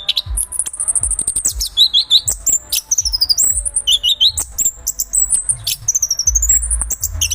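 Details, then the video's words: Anis kembang, the chestnut-capped thrush, delivering fast, jumbled song: thin high whistles, upward and downward slurs and stuttering chips, packed tightly with little pause, over faint low rumbling. "橙头鸟 anis kembang bang jago"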